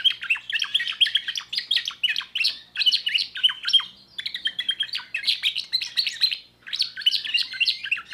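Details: Rapid bright song from a young timbrado canary: chains of quick chirps and rolled trills, briefly pausing near the middle, then resuming with dense warbling phrases to the end.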